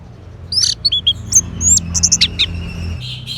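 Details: Orange-headed thrush singing a rapid, varied string of short high whistles, chirps and slurred notes, each phrase changing pitch, delivered in quick succession over low steady background noise.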